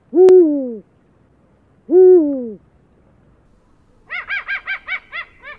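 Eurasian eagle-owl giving two deep, slightly falling hoots about two seconds apart, then a quick run of six shorter, higher barking notes.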